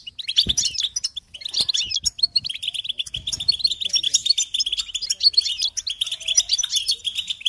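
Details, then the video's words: European goldfinch song, used as a training recording for teaching chicks and songbirds: a dense, unbroken stream of fast, high twittering and tinkling chirps, with a few faint low knocks near the start. "Encouragement to motivate and support goldfinches in songs"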